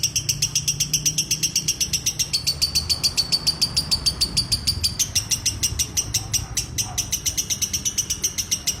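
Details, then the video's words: Lovebird ngekek: a sustained, rapid chatter of shrill, high notes pouring out in an even rhythm for the whole stretch, with a faint click and low room hum behind. "Love Bird ngekek 2 menit"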